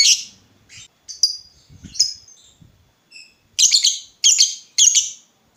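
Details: Lovebird calls intended to draw answers from other lovebirds: scattered thin high chirps and short whistles, then three loud harsh squawking notes close together near the end.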